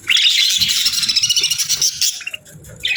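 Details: Parakeets enjoying a warm meal on a winter morning: rapid buzzy warbling chirps in a dense run, then a brief pause and a few isolated chirps.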